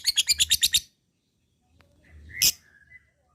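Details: Lovebird giving a short, harsh chatter of about seven rapid high notes lasting under a second, then a pause and one single loud, sharp squawk.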